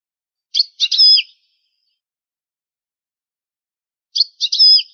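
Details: Old recording of European goldfinch song in its original style: two brief phrases of quick chips leading into a bright whistled slur, heard about three seconds apart against silence.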